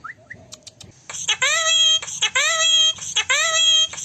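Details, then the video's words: A talking rose-ringed parakeet (Indian ringneck) talks in a nasal, voice-like tone, giving four syllables about a second apart after a few faint chirps and clicks. "Talking Parrot"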